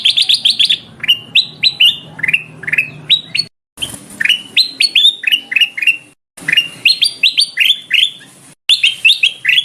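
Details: Noisy black-crested bulbul lure recording, said to be a female calling a male: loud, busy bursts of upslurred and downslurred chirps in dense runs, broken by several abrupt short silences.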